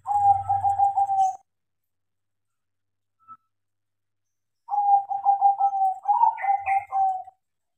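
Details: Trained tame crossbred zebra dove cooing: two phrases of quick, evenly spaced soft coos, the second longer and ending with a few higher inflected notes, separated by several seconds of silence.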